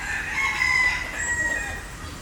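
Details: Green peafowl recorded in 2022 on a Sony A7IV camera, giving one loud, drawn-out nasal call with strong harmonics that swells and then fades over about two seconds, over steady background hiss.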